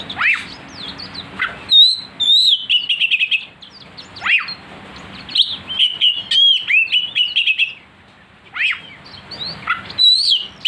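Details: Lure song of an oriental magpie-robin to make a kacer sing fiercely: varied whistles and rapid trills in phrases, steep slurs, a quiet gap, then more sharp rising notes.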